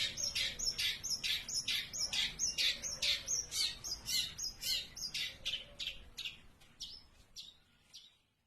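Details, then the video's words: Steady high chattering from a long-tailed shrike that sings without pause: rapid, evenly spaced harsh chirps, about two per second, gradually fading away toward the end. "Cendet Giras tidak henti-hentinya bunyi"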